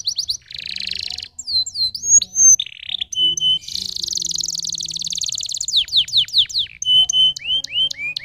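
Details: Canary in full song, switching between buzzy rattles, pure steady whistled notes, quick downward-sweeping chirps and a long fast trill, each phrase of repeated elements lasting around a second or more.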